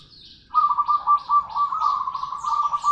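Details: Local zebra dove in vigorous song. After a short quiet start, a low, pulsing rolling coo runs unbroken for about two and a half seconds. Faint high chirps sound in the background.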